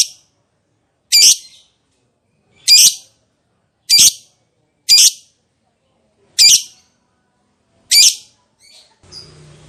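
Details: Lovebird repeating single harsh, screechy calls roughly every one to one and a half seconds, six in all, with quiet pauses between and a faint rustle at the close.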